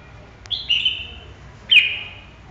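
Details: Red-whiskered bulbul giving two short bright whistled phrases about a second apart, each a quick slurred note that drops slightly in pitch, with quiet background between.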